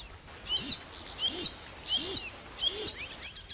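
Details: Harsh, grating calls of a Harris's hawk (Parabuteo unicinctus), a raptor that lives and hunts in family groups: four evenly spaced screechy notes, roughly one every 0.7 seconds, with faint thin chirps between them.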